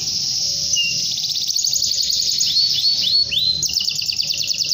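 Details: Canary singing long and lively to summon a rival: a fast, high trill flows continuously, broken by a few rising slurred notes midway, then resumes as rapid chatter.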